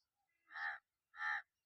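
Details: Two drawn-out, rasping caws from a crow, the first swelling gradually, separated by about half a second of quiet, with a faint high whistle before the calls.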